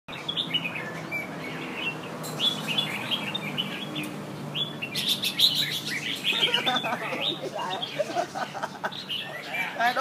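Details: Two red-whiskered bulbuls compete against each other in Nha Trang, giving bright, chirpy warbled phrases and sharp tweets, calling over one another amid people chatting and laughing.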